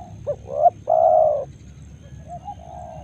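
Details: Close spotted dove in Karawang rice fields at morning: a quick rising note, then a long throaty coo, followed by faint distant coos against low background noise.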